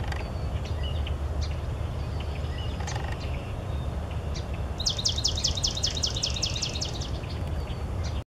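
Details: Swamp Sparrow in a wetland giving a sweet, even trill of about a dozen rapid repeated notes lasting over two seconds, after a few scattered chips, over a steady low rumble.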